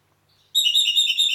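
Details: Red-rumped parakeet recorded in Heraklion, Crete, giving a quick warbled phrase: after a faint lead-in, a bright, rippling run of rapid whistled notes wavers up and down for nearly a second against a silent background.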